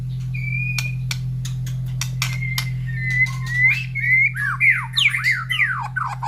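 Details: Captive white-rumped shama in the morning after its feed, near cages of other breeding birds. A long, steady, high whistled note gives way to quick downward-sweeping whistles, with sharp clicks and a low hum.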